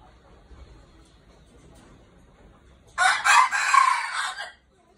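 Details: Red junglefowl kept as a decoy bird. After three seconds of near silence comes one loud, harsh, broadband crow lasting about one and a half seconds, rough and slightly pulsing, then quiet again.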